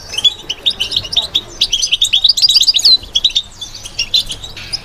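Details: Batbata twittering by a caged European goldfinch, rapid high chirps of about three per second building into a dense ringing run, then fading to scattered notes.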